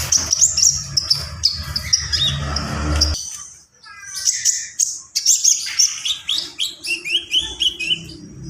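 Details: Javan pied starling singing a varied song of high whistles and scratchy chatter, a noisy low rumble at first, then clearer rapid repeated chirps toward the end.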